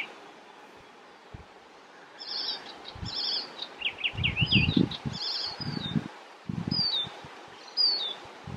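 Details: Icterine warbler, recorded 27 June 2021 in Västerbotten, delivering a varied song: high chattering notes, a cluster of rising and falling slurred whistles, then sharp clipped calls. Low thumping and rustling sounds run alongside.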